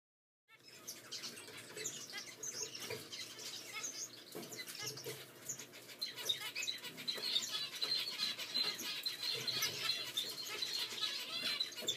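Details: Zebra finch chicks, Continental CFW and Normal Gray sharing a nest, give rapid, high, raspy begging calls that build in intensity.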